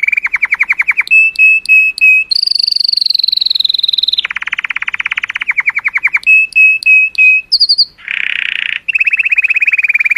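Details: Colour canary singing joyously to stimulate females, alternating rapid rattling trills with a sustained high whistle, clipped whistle series and a short buzzy burst.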